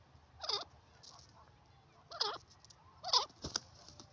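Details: Francolin, known locally as teetar, gives harsh, looping calls, three in about four seconds, spaced at irregular intervals, with a few faint clicks in between.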